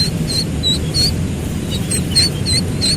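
Thin, high peeping notes from a slaty-legged crake chick, repeated two or three times a second, over a steady low rumble of background noise.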